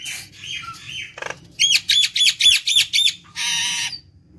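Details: Nias hill myna song meant to attract other birds: a few rough notes, then six quick, evenly spaced squawky calls with bright overtones, ending in a longer buzzy note over a low background hum.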